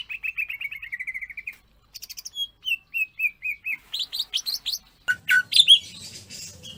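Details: Greater green leafbird in clear natural song, a training recording meant to make other leafbirds answer: rapid high chirped series, a short trill, then varied sharp whistles and a harsher scratchy burst near the end.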